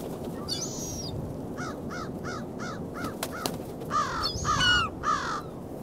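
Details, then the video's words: Gulls on a beach on February 27, 2016, in winter cold of 19°F: a quick run of short, arched, nasal calls, about six in a row, then louder overlapping calls with thin, higher squeals mixed in. "Seagulls' calls on the beach"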